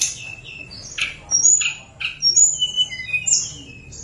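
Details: Hill blue flycatcher singing a fluting song meant to goad lazy birds into singing: scattered sharp chips followed by clear high whistles and short descending warbled notes.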